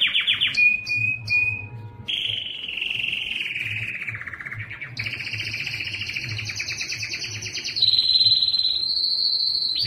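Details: Loud song of a Belgian canary courting females for breeding: short clipped notes, then a long descending rolled trill, followed by bright, fast trills at two pitches, with steady low background hum.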